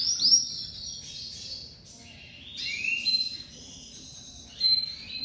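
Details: Crested lavandeira domestic canary coming out of moult and singing very loud: a continuous high warbling song with rising slurred notes and brief louder bursts, over a low background rumble.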